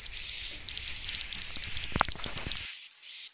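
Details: Swiftlet calling sound from a 2021 updated lure mix used to draw swiftlets into a bird house to roost: long, high, thin whistled notes with sharp clicks and rustling in the middle, ending abruptly.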